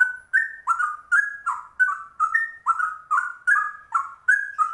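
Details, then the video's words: Rare trucuk bulbul delivering a ropel song in straw-headed bulbul style, with quick rich whistled notes alternating higher and lower in a steady stream, each tipped by a thin high tick. "Trucuk langka ropelannya cucak rowo"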